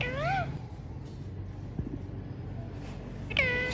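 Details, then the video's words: Hand-tame ringneck parrots: two harsh, harmonic, arched squawks, one at the start and one near the end, separated by quiet with a low room hum. "Most Colorful Parrots Natural Sounds"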